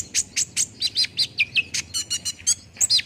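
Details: Olive-backed sunbird song used as a lure to get a bird singing fast: a rapid run of sharp, high chirps and short downslurred notes, roughly five per second, with no other sounds.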